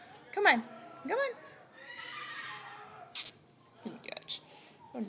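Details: A female pet sulphur-crested cockatoo, acting silly, gives a few short, harsh, bending squawks and a raspy screech as a woman coaxes her, asking her to say "hola" and step up.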